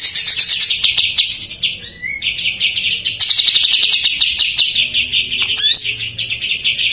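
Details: Isian-filled greater green leafbird song in jamtrok-mania style, played to draw out birds that are not singing: a dense high warbling trill with short upward slurs and scattered clicks.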